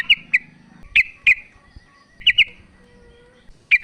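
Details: A female sooty-headed bulbul gives scattered sharp chirps in pairs to call the male, with short silences and a soft low hum between notes.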